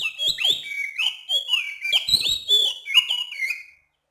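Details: Night-time oriental magpie-robin, known locally as kacer, gives a clear, rhythmic string of bright whistled phrases, swooping notes and quick chips, continuous for almost four seconds before stopping; nothing else is heard.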